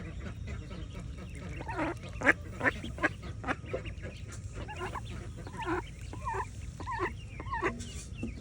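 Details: Mallard family, a mother and her ducklings, swimming in the morning: rapid, uneven bursts of nasal quacking and chattering, some notes bending up and down, with sharp clicks and a low steady background hum.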